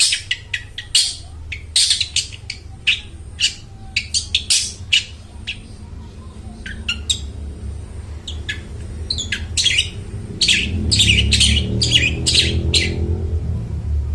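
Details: Long-tailed shrike in full, clear song, used to coax mute shrikes to sing. Sharp, high rasping chips come in an irregular stream, while a low rumbling noise grows louder toward the end.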